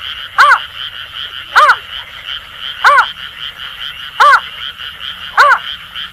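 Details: Greater painted-snipe (Rostratula benghalensis) calling at night with Asian grass frogs: soft, hollow hoots about every 1.2 seconds over a steady shrill chorus of frogs and insects.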